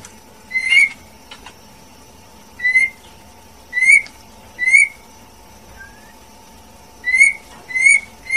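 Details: Female white-rumped shama giving single short whistled notes at irregular intervals of about one to two seconds, spaced by quiet pauses over a faint steady hum.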